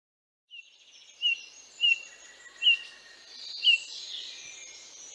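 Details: Eurasian Bullfinch, a Central European garden finch, giving four soft, piping whistles, each a short falling note, spaced about a second apart over a faint background hiss.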